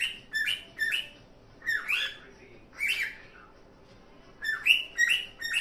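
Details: Cockatiel in happy song gives clusters of sharp, rising chirps, some drawn into longer squawky notes, with short silent gaps between groups.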